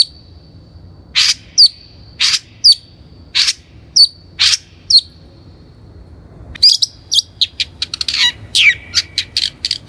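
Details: Long-tailed Shrike lure for bird training: thin, sharp high notes spaced about half a second apart, some with a quick upward flick, then a rapid, jumbled chatter of clipped high notes.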